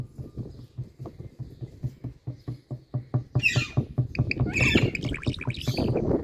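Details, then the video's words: Indian parrot mimicking dripping water with low, hollow plopping pulses, about two a second, joined midway by raspy squawks and scratchy chatter that build toward the end. "Indian Parrot Tiger Calling Water Drops💧Sounds"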